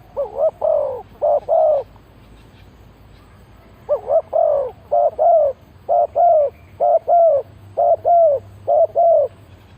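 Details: Lure call of a spotted dove for trapping wild birds: two paired coos, a short gap, then a long regular series of double coos, short note then longer falling note, delivered rapidly and evenly.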